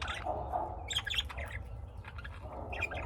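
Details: Indoor pet lovebirds in Austin, Texas, give scattered shrill squawks and chirps in short clusters, with quieter stretches between them and an ongoing background hum.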